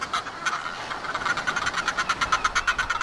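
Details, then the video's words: Northern Fulmars at a cliff-top nesting colony at Foreness, Southeast England, on a sunny early-summer morning give noisy courtship calls for pair bonding: harsh, guttural cackling, a fast uneven chatter of rough notes about three a second, building louder. "Northern Fulmar Noisy Courtship"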